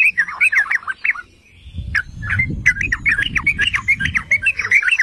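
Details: Yellow-vented bulbul (trucukan, merbah cerukcuk) singing to provoke other bulbuls into song: rapid bubbly, chattering warbled notes, a brief pause, then a longer run of liquid chirps, with low rumbling background noise.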